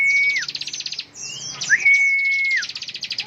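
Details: Bar-winged prinia in ngebren style, fast high buzzy trill pulses before and after a brief gap, interrupted by a long, level, pure whistle that rises then drops at its end.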